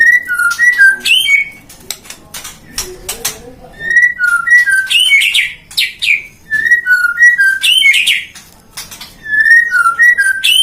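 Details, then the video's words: Captive-bred white-rumped shama, a popular competition songbird, at a breeding farm in Depok, Indonesia: the same clear whistled phrase of several falling notes, repeated again and again with short breaks, plus sharp clicks and occasional metallic flourishes. "Burung Murai suara kicaunya gacor"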